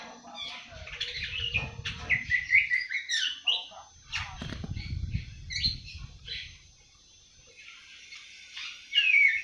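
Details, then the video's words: Young awar-awar, seven months old, starting its early twittering song: rambling chirps and brief squeaky whistles, broken by two stretches of low rustling or fluttering, with a bright phrase closing. "Burung awar awar 7 bulan mulai ngriwik"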